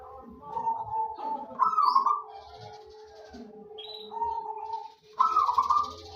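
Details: Zebra dove of local wild stock calling eagerly as a singing lure: two bubbling coo phrases, each stepping up into a loud rolling trill, over a steady humming tone, with faint high chirps from other birds.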